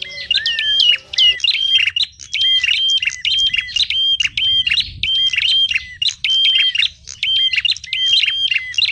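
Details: Lure recording of small birds calling noisily, used for trapping small birds: dense chorus of bright, high chirps and whistled notes, short phrases repeated rapidly with brief gaps, a low rumble underneath.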